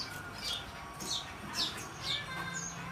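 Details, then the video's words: Gajor dorr song of a magpie robin, meant as tutor material: bright, falling whistled notes about every half second, with faint background hum. "Burung kaso kaso gajor dorr buat isin"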